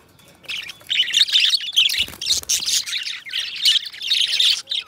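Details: Two pet budgerigars, companion birds, singing and talking together in a long warbling stream of chattering, buzzy chirps and scratchy notes, with short pauses and a faint low thump near the middle.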